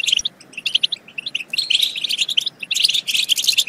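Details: European goldfinch song meant to excite goldfinches into singing and mating: spaced, clipped chirps at first, then quicker, denser twittering phrases.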